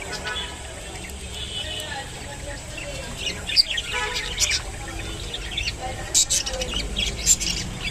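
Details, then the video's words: Rainbow budgerigar eating kolmi shak: scattered sharp high chirps and clicks over a faint background hum, growing busier in the second half. "rainbow budgerigar eating kolmi shak II বাজরিগার পাখি পালন"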